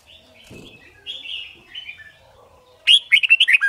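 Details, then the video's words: Red-whiskered bulbul of the white-cheeked type singing for competition song training: soft, drawn-out warbling notes first, then a loud, rapid burst of bright, bubbly whistles sliding downward. "Luyện Chim Chào Mào Má Trắng Học Giọng Nhanh. Chào Mào Hót / Chào Mào Hót Đấu/Kích Bổi Hót"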